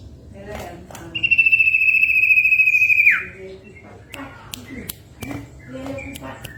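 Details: A Common Iora, said to be a female calling males, gives one long, high, drawn-out whistle lasting about two seconds. It sags slightly, then drops sharply at the end, with scattered clicks and faint room noise.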